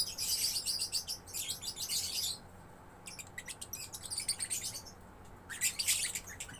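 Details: Young lovebird in full chattering song. Two long, intense rasping bursts are followed by a quieter gap, then stuttering high ticks and another shrill burst. A low background hum is present.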